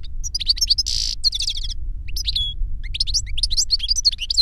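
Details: Goldfinch song from an older bird tutoring a younger one: rapid twittering opens into a dense buzzy burst, then bouncy liquid chirps continue in quick sequences over a low hum.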